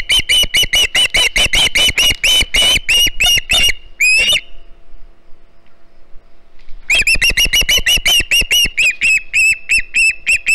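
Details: Juvenile osprey at a Hog Island nest on 9 September 2019, calling for fish as another fish is delivered: rapid runs of sharp, piercing chirps, about one and a half per second, broken by a pause of roughly two and a half seconds before resuming.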